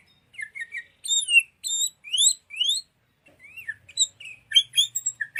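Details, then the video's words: Tutor recording of sooty-headed bulbul song for songbirds: sweeping upslurred and downslurred whistles in quick succession, a short pause, then chattering chirps with high squeaks. "PIKAT SUARA BURUNG KUTILANG (MASTERAN)"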